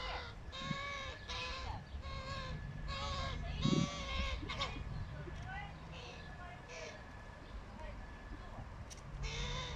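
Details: A fluffy hooded crow fledgling being fed by its father gives nasal, drawn-out begging caws about twice a second in uneven bursts, over a steady low background rumble.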